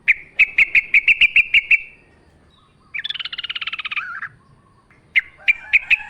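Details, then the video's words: Wild yellow-vented bulbul in full song, recorded with natural ambience: a quick string of clipped, bright notes, then a pause, a dense buzzy rattling trill lasting over a second, and more bright notes. "trucukan gacor ngalas full suara alam"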